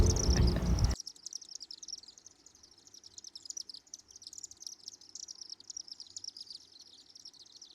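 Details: Chimney Swifts flying overhead in downtown Osakis, Minnesota, on June 12 chatter in a dense, rapid stream of high, thin chips and twitters, several per second, after a brief burst of a man's voice.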